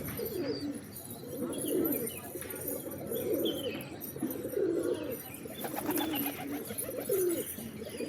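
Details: Pigeons coo in low, rolling phrases roughly every second or so, several birds overlapping, with faint higher chirps from small birds and a brief flutter near the end.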